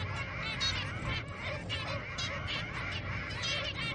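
Zebra finch chicks beg with a steady stream of raspy, nasal, quickly repeated calls while being fed.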